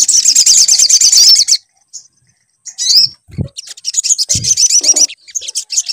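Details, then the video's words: Sunbird song used as a lure to get a bird singing: a burst of rapid high twittering, a near-silent gap with a few chirps and low knocks, then the shrill chatter resumes. "PANCINGAN SUARA SOGON AGAR BUNYI"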